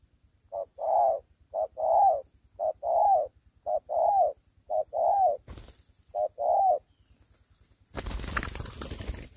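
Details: Young spotted dove with an incomplete neck-spot collar, calling aggressively while fighting. It gives a brisk series of paired coos, a brief note then a longer falling one, repeated about every second. Sharp noise bursts follow near the end.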